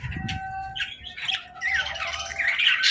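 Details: Young budgies playing: a low rustle at the start, then buzzy squawks and bright chirps building into dense excited chatter toward the end, over a faint steady hum.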